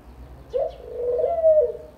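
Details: Single dove coo: an abrupt start, then a sustained, soft, throaty hoot that wavers and fades after about a second and a half.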